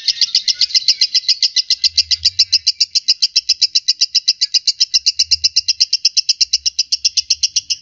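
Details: Lovebird singing, a continuous run of rapid, shrill high chirps repeated about four times a second, steady and even throughout, with faint low rumbling in the background.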